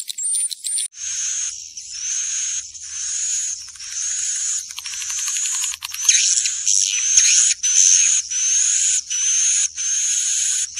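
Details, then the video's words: Swiftlet calls used to lure swiftlets into a building to roost: harsh, buzzy chirps repeated roughly every second in an even rhythm, with a thin steady high whine running underneath. "Suara panggil burung wallet menginap"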